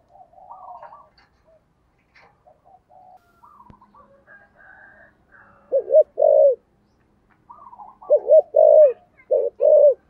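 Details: Loud spotted dove of the giọng thổ sấm style. Two groups of deep, arched coos, the second a run of about four notes, while quieter chirping birds twitter in the background.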